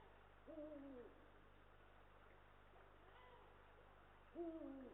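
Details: Eurasian eagle-owl pair, male and female, at a nest watched by a live nest camera in Estonia; two loud hoarse barking calls with a downward-bending shape, one at the start and one at the end, a fainter call between, over steady low hum.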